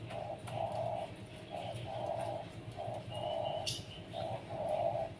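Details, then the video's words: Privately kept Zebra dove set out to sunbathe in the morning, cooing in soft low phrases, a short coo then a longer rolling one, repeated about every second, with a brief high chirp from another bird in the background. "RELAKSASI, penjemuran burung perkutut biar rajin dan gacor"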